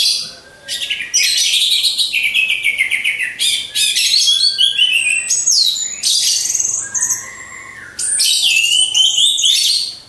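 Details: Lure song from a caged orange-headed thrush hung alongside others for training: a loud, rapid stream of high trills, buzzy rattles and swooping whistles, including one lower drawn-out whistle midway. Short pauses separate the sections.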